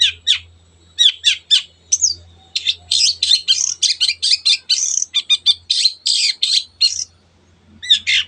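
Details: Long-tailed shrike singing its lively 'teot teot' style, recorded as a lure to excite other birds into singing: a rapid run of varied scratchy, chattering and whistled notes in dense bursts with brief pauses, over a faint low hum.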